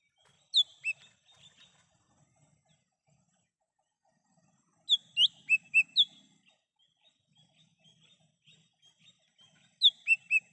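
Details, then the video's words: Lesser green leafbird in the wild, used to lure birds: brief phrases of high, piercing whistles, one cluster of five rapid notes mid-way, long quiet gaps with faint soft chips and a little low background noise. "Suara asli cucak hijau mini / cucak Rante di alam liar bisa untuk pancingan dan panggilan"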